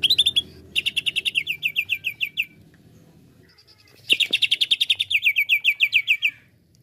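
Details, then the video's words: Provoked greater green leafbird, cucak ijo, pouring out two long bursts of fast, bright, evenly spaced chirps, each note dropping slightly in pitch, split by a quiet gap of about a second and a half. "CUCAK IJO lain cepat sekali emosi pancing c ijo ini"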